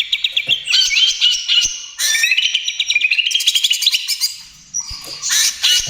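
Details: Greater green leafbird of the 'trotol' type singing hard, a lure and therapy recording for other birds: rolling high whistles, then a long stream of fast chips and rising slurs, ending in a brief pause and harsh bursts.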